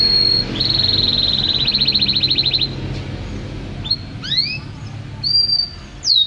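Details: Canary in full 'gacor' song: a long steady high whistle followed by a rapid pulsed trill, then scattered rising and falling whistled notes, with a constant low background rumble.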